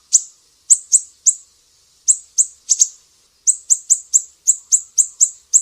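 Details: Mangrove whistler from Sumatra in sharp besetan style, a master recording for training cage songbirds: high piercing notes in small groups, then a steady fast series of clipped downslurs, clean background.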